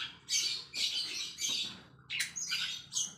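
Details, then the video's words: Long-tailed shrike giving its 'isian greja' song, with house sparrow material worked in, played as a lure for other shrikes: rasping, squawky bursts in half-second blocks with short gaps, later ones sharper and more clipped. "CENDET ISIAN GREJA FULL SPEED!!! PANCINGAN CENDET GACOR DOR!!!"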